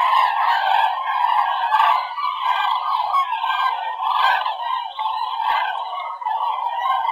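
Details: Migrating common cranes flying high over the Werra valley near Herleshausen, Hesse, Germany, on an October 2020 afternoon, heading southwest from Scandinavia: a continuous chorus of loud, rolling trumpeting calls from many birds overlapping throughout.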